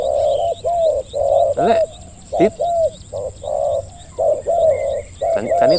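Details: Dense overlapping coos from spotted doves at a decoy trapping site, long level hoots and short clipped notes in quick succession, with a few sharp knocks and chirps in the background.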